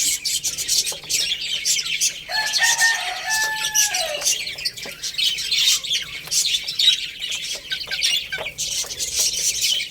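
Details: Chicks eating rice chirp steadily in a high, crowded chorus; midway a lower, drawn-out tonal call with a falling end sounds for about two seconds, and pecking clicks recur.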